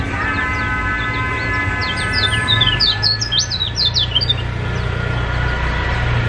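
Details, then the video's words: Yellow white-eye (kecial kuning) from Lombok, Indonesia, singing energetically as a lure to start silent birds singing: a quick burst of high, thin, slurred chirps over about two seconds, above a steady low hum and tonal background drone. "PANCINGAN KECIAL KUNING GACOR TERBARU | KECIAL MACET JADI BUKA PARUH"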